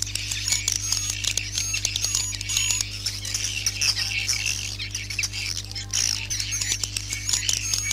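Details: Swiftlets in a night lure recording played indoors in a swiftlet house, a dense chorus of high, thin chirps and twitters overlapping continuously, over a steady low electrical hum.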